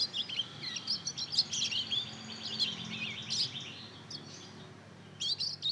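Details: Two-month-old hybrid of Mozambique canary and canary, a young bird learning to sing: soft, rambling twittering of high chirps and short warbled phrases, uneven and unstructured, with a faint low hum underneath.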